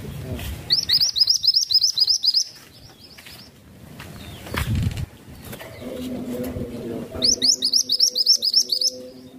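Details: Masteran bird song in two bursts of rapid, high, rising whistled notes, each run about eight to ten notes, separated by a quieter gap with a low hum and a dull thump.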